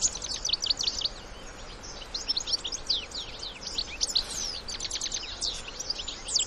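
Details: European goldfinch adults and young in the wild giving a continuous high twitter, many rapid slurred chirps and metallic notes layered together over a soft background hiss.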